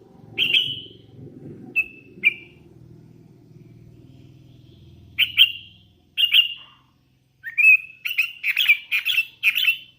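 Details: Young hand-fed sooty-headed bulbul with sharp whistled chirps, first sparse, then a fast run of rising notes near the end, over low mechanical humming during the first half.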